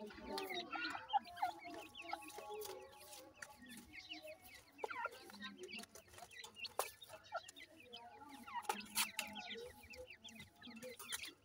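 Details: Grey francolin chicks giving a dense, busy stream of short, high, downward-slurred cheeps, overlapping and irregular, with soft lower clucking notes underneath.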